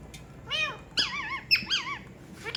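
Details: A ringneck talking parrot gives three rich, nasal, wavering calls, almost voice-like, rising and falling within about two seconds over a faint background hiss.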